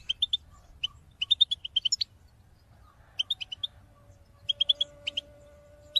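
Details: European goldfinch filmed in 2022, its calling song used to motivate other birds to sing: short bright chirps in quick clusters of two to six notes, separated by brief pauses, with faint low tones and a steady hum underneath.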